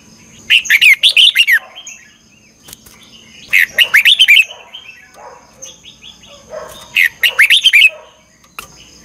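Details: Morning lure song of a red-whiskered bulbul, double-twisting 'ché căng lửa' style for training birds: three rapid bursts of five or six loud, downslurred whistled notes, about three seconds apart, with softer chatter in the gaps.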